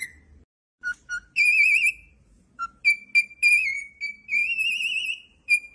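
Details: Cockatiel singing a whistled tune: two low peeps, a warbling whistle, another peep, then short clear notes leading into a long rising, trilling whistle and one final note.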